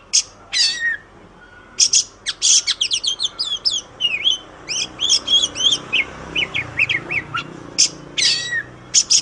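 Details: Song of an Oriental magpie-robin, a master recording for training songbirds: harsh high bursts, a silent gap, then fast twisting whistled phrases and scattered sharp chirps, closing with more rasping bursts.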